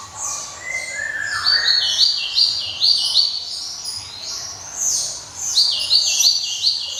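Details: Java sparrow song: lower slurred notes followed by repeated sharp, bright clinking notes in short rows, bursts recurring about once a second, with an airy background.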